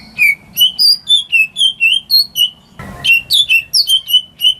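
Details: Greater green leafbird kept at home, its song used to stir silent birds into singing: evenly spaced, clear whistled notes at varying pitches, broken midway by a brief rustling noise, then faster sliding whistles.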